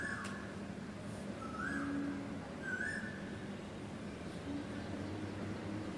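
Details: Asian koel in the morning, raw outdoor recording: two rising, whistled koel notes about a second apart, fairly soft, over a steady hum of background noise and faint chirps of other birds.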